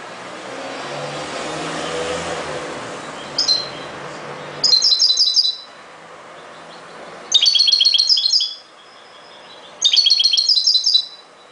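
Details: European goldfinch singing in the ghoroub song style: three bursts of bright, high, rapid twittering and tinkling notes separated by pauses, after an opening stretch of low background rumble.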